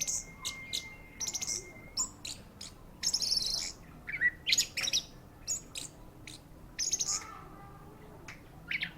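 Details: Orange-headed thrush delivering a loud, varied high song of rapid chips, rasping bursts and short whistles in uneven clusters, opening with a long thin steady tone.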